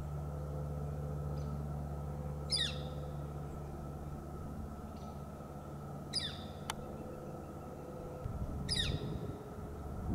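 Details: Juvenile Northern flicker on a Bishop Pine in S F B Morse Botanical Reserve, California, responding to a Hairy Woodpecker: three short, harsh, downslurred calls spaced about three seconds apart over a steady low rumbling hum.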